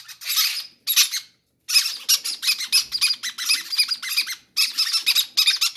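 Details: Hungry baby parrots, eager to be fed first: a near-continuous run of shrill, rasping, pulsed squawks after two short opening bursts.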